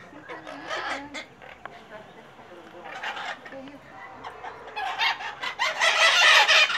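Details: Noisy flock of maitacas (Pionus parrots) at a house in Santa Maria Madalena, Rio de Janeiro state, Brazil, 26 January 2014. Scattered harsh squawks at first give way to a loud, continuous chorus of rough screeching calls in the final seconds.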